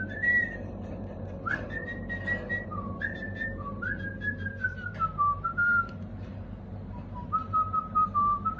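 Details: Pet cockatiels fighting over toys; one gives a run of clear, drawn-out whistles that slide up and down over a low indoor hum.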